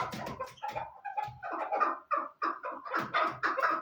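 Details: Chukar partridge giving rapid, hoarse chuck notes that build from low, muffled syllables into louder, brighter repeated calls, roughly three per second.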